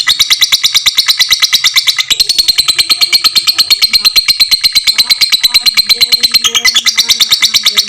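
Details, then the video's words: Fighter lovebird's extended ngekek for tutoring other lovebirds: relentless, sharp, high notes at roughly three per second, a slightly lower tone in the middle stretch before rising again. "suara lovebird fighter ngekek panjang"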